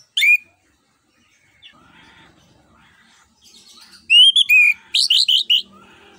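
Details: An orange-headed thrush in ngeplong style, played to prompt other birds to sing: one loud whistle, a quiet stretch with faint background notes, then a loud burst of varied, looping whistles.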